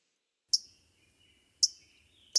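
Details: Louisiana Waterthrush chip notes, three sharp, high, metallic chips roughly a second apart against a quiet background; a distinctive call heard along creeks, including in fall.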